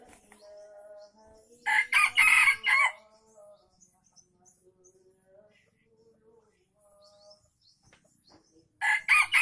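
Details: Lure crow of a junglefowl from Aceh: after soft background calls, a grating multi-beat crow of about a second, several quiet seconds with faint chirping, then another crow beginning.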